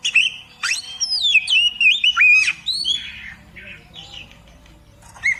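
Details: Oriental magpie-robin singing a tutor song for beginner songbird keepers: loud, varied whistled phrases with sweeping slurs and high squeaky notes, fading into softer scratchy chatter.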